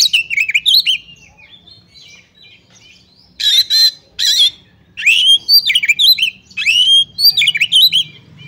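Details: Female Oriental magpie-robin calling a male so he sings, used to rouse other magpie-robins: bright whistled notes sliding down, then two harsh raspy bursts, followed by quick rising and falling whistled phrases in short bursts.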